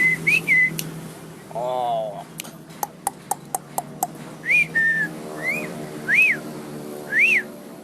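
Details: Asian pied starling, nodding while it sings: clear rising-and-falling whistled notes spaced about a second apart, a burst of sharp clicks in the middle, and a low steady hum beneath.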